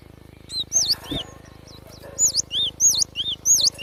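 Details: A Java sparrow gives a quick series of bright V-shaped whistles, dipping and rising, repeated roughly every third of a second after a brief pause, over a low hum.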